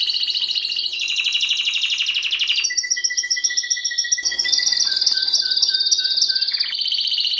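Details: Timbrado canary, a kept songbird, singing continuously: dense rolling trills shifting between pitches, then a clear sustained whistled note and a rattling trill, over a quiet indoor hum.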